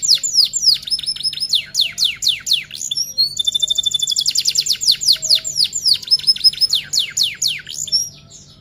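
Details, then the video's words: Male-type F1 hybrid canary in full, loud song used as a master tutor recording: fast series of descending sweeps, a long rapid trill near the middle, then more swept phrases, all high and continuous with faint low hum underneath. "Masteran Komplit, Kenari F1 Gacor Rol Tembak Top Durasi Panjang"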